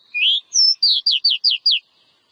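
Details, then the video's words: Oriental magpie-robin song, played to encourage a kept bird to sing: a rising whistle, a high clear note, then five quick downslurred whistled notes in a brisk series, clean and without other sounds. "Suara Burung Kacer ' Agar Kacer Rajin Berkicau'"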